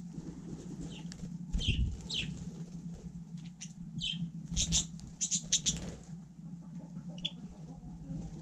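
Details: Budgerigar on snow in frost, giving several sharp, downward-sliding chirps spaced about a second apart over a steady low hum.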